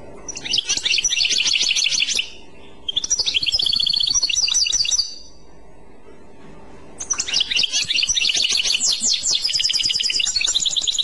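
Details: European goldfinch song in the Clochette style, delivered as three bursts of fast, tinkling, high-pitched twitters and trills separated by short silent pauses.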